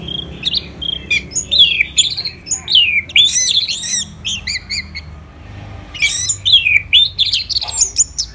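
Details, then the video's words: Morning song of an orange-headed thrush in Singaraja, Bali, in full voice: fast varied phrases of looping whistles, trills and high slurred notes, a short pause midway, then another energetic burst. "ANIS MERAH Gacor dan Teleran Suaranya Bikin Burung Yang Awalnya Malas Bunyi Ngedrop Bahkan Macet Jos"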